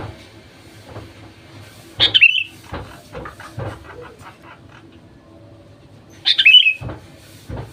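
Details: Lure song of a sooty-headed bulbul, meant to make other bulbuls sing: two brief, bright, descending phrases about four seconds apart, with irregular knocking and clattering noises in between.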